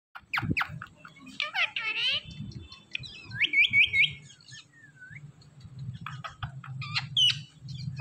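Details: Indian ringneck parakeet, a green talking parrot, giving a string of speech-like mimicked syllables and rising whistled notes, then sharp chirps near the end, over steady low background music.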